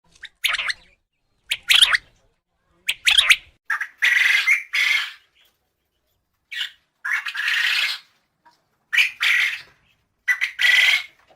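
A quail gives harsh, raspy squawking calls in short bursts, some clipped and some drawn out, with quiet gaps between them.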